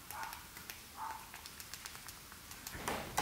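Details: A male peach-faced lovebird, born March 2019, courts with quick, irregular ticking clicks and a few faint, soft chirps, ending in a brief louder rush of noise.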